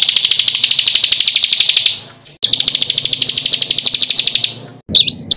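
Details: Rough rolling master song of a songbird for training contest birds: two long, rapid, buzzy rolls, each fading out, followed by brief high whistled notes.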